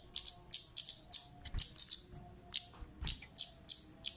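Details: Female orange-headed thrush calling, used to lure birds; piercing high chip notes in rapid pairs and singles, roughly three per second, over a faint indoor hum and occasional low knocks.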